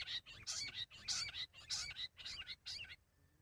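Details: Rock bush quail calling for hunting, with bursts of harsh high chattering notes in rapid groups, about six bursts over three seconds, then a quiet end.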